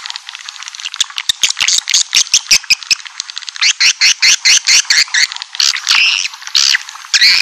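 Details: Swiftlet call used to attract a colony into a building: dense high twittering overlaid with quick, sharp chirp pulses, getting louder and more evenly spaced in the middle section.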